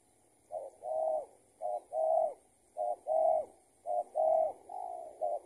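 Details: Spotted dove responding to a decoy bird during trapping, with steady repeated two-part coos, a short note then a longer mellow one, about four pairs in quick rhythm.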